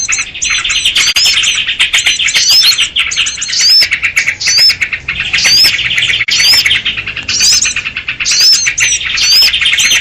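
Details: Sooty-headed bulbul, used as a noisy lure call for trapping small birds: a dense, busy chorus of high chirps, twittering notes and repeated rising whistled slurs, overlapping continuously with no pauses.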